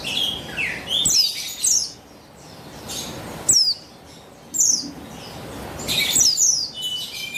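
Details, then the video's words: Female buxtoni white-eye, a caged bird whose calls are meant to lure males into singing: clusters of high, thin downslurred chirps separated by brief pauses. "Buxtoni Betina Memancing Bunyi Burung Pleci Bahan Agar Bustomi Gacor Ngalas"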